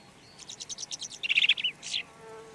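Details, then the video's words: Red-backed shrike (Lanius collurio) song phrase: a quick run of about eight high ticking notes, then a louder rattling cluster and a final short squeak. "Red backed Shrike · Lanius collurio - song"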